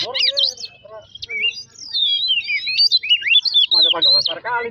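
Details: Oriental magpie-robin song used to trigger singing in other birds. Long, smoothly gliding whistles rise and fall in a flowing line. They end in a burst of harsh, stuttering chatter.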